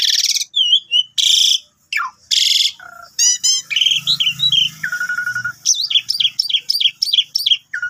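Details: A Javan pied starling (jalak suren) used as a lure call to get other birds singing sings a loud, varied jumble of harsh rasps, rising whistles and rapid chattering notes, with quick repeated phrases toward the end.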